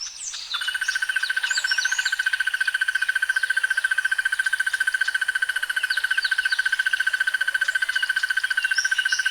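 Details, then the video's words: Crested barbet from the east of Southern Africa giving a long sustained trill, a rapid even rattle of about two notes per second-fraction, steady and mechanical like a fat insect, with faint chirps of other birds overhead. "The sounds of Crested barbets"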